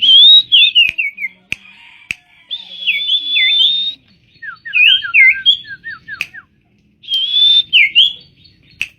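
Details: A tame common iora singing actively. Bright, clear whistled phrases rise and fall with quick slurred notes, repeated in bursts. A short run of rapid downward-slurred notes comes midway, and faint clicks sound in the background.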